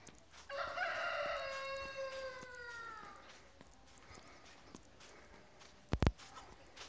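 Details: Chicken on a farm crowing once, a rich harmonic call of about two and a half seconds that drifts downward and fades, followed by quiet and a pair of sharp knocks near the end.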